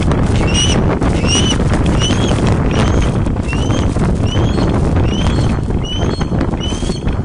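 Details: Ospreys on a webcam nest at Loch of the Lowes, Scotland, late afternoon of 31 August 2013, as a large fish is brought in. Steady high whistled chirps sound roughly twice a second, partly masked by loud low rumbling noise.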